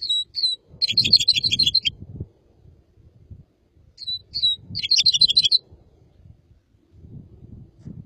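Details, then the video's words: Red crossbill singing: a few sharp downslurred notes lead into a rapid, buzzy, warbling phrase, then a pause of about two seconds and a second matching phrase, over low rumbling background noise. "تغريد طائر الهزار red crossbill singing"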